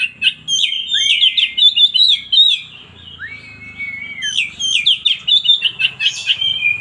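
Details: Kacer or oriental magpie-robin singing fast chirping phrases, then a long clean whistle with an upward-swept note, followed by another rapid burst of varied twittering chirps.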